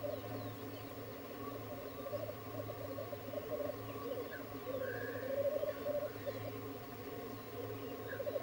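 Black grouse at a lek keep up a steady, low, dove-like bubbling chorus, with a few brief higher notes over it and a low hum underneath.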